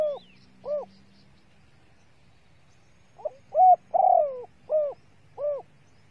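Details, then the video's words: Female spotted dove calling to excite males: two soft coos, a pause, then a quick lead-in note, a full coo, a long rolling burred coo and two further gentle coos. "TIẾNG CU GÁY MÁI SIÊU NHẠY DÙNG KÍCH BỔI KHÓ TÍNH | CU GÁY MÁI KÍCH TRỐNG NHANH NỔI"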